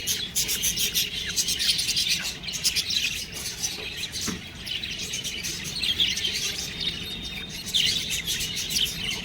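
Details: Young budgies keep up steady high-pitched chatter, overlapping tweets and squeaky notes with no pauses, plus a few louder rising chirps.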